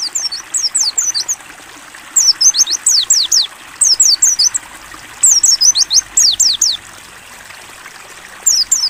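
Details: Training song of a mountain white-eye (pleci) in ngalas style: high-pitched, rapid downslurred chirps grouped in four or five short phrases of six to eight notes, soft flowing water underneath.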